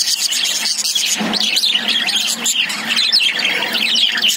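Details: A cage full of lovebirds giving shrill, quick chirps and whistly squeaks in a continuous overlapping chorus, loud and steady from start to finish.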